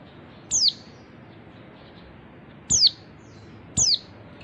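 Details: Female oriental white-eye calling three times, each note a thin high whistle falling sharply, the last two about a second apart; used to coax males out of silence into song.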